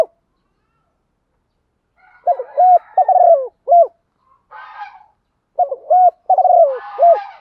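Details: Female spotted dove calling to attract males: after two silent seconds, mellow low coos come in short phrases of three notes, the middle one drawn out and falling, repeated twice, with faint higher twittering of other birds between phrases.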